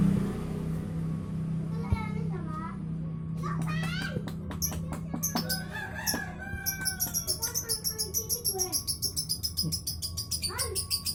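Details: Lovebird giving a long chattering song: low hum at first, then scattered squeaky chirps and whistles building into a rapid, steady stream of high, buzzy repeated notes over the last seconds.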